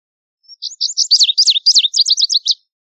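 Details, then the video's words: Lazuli bunting song opening with a thin whistle, then fast scratchy notes accelerating into a string of evenly repeated sharp down-slurred chirps, about two seconds long. "Lazuli Bunting Song! Lazuli Bunting Call! Sound! - Azulillo Lapislázuli Canto - Passerina Amoena"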